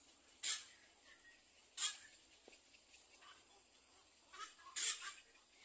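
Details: Little egret at the nest, tending four chicks: four short, harsh, rasping bursts, loud and broad in tone, the first two about 1.3 seconds apart and the last two close together, over a faint background hiss.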